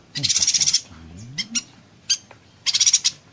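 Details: Brief burst of yuhina konslet song, a training master for murai and cucak hijau: a fast crackling rattle, a few isolated ticks, then another short buzzy rattle.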